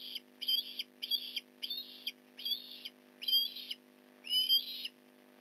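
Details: At a Port Lincoln Osprey nest during a fish delivery, November 15, 2019, morning: seven clear, sharp whistled call notes in quick regular succession, each short and harmonic-rich, some with slurred upward inflections; a low hum beneath.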